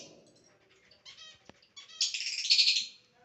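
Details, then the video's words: Pet lovebird in a funny mood, whistling: a few brief harmonic chirps give way to one loud, harsh, rasping screech lasting nearly a second, then quiet. "my super cute lovebird funny mood whistling 🗣️ funny sound"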